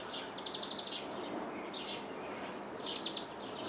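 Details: European greenfinch in Jordan, heard through a window: a rapid trill of repeated notes, then short chirps and another trill, over hissing background noise.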